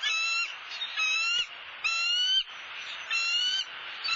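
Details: Bald eagles at a Southwest Florida nest, watched by a live nest camera, as the male brings a soft-shelled turtle to the female; high, clear harmonic whistled notes about half a second long, repeated roughly once a second over a steady hiss.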